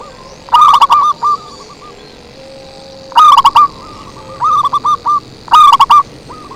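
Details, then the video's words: Zebra dove song used as a lure: three loud, harsh, distorted bursts of quick stuttering coos, with fainter dove cooing filling the gaps between them. "Suara Merdu PIKAT PERKUTUT SANG RAJA"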